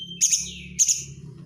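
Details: White-rumped shama lure song with tight 'crecetan' chatter: a thin steady whistle, then two loud harsh high bursts trailing into descending buzzy tails, with a low hum beneath.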